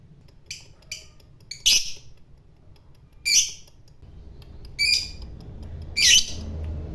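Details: Caged fighter-type lovebird making a few harsh, scratchy squawks spaced a second or more apart, with low background hum between bursts.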